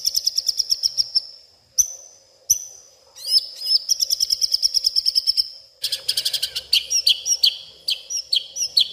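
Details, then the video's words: White-rumped shama, agitated, singing at night its imitated isian: dense high trills, isolated sharp chips, a long rapid buzzy run, then jumbled twittering and upward-flicked notes. "malam hari malah koar koar,,,murai batu ngamuk isian se kebon keluar"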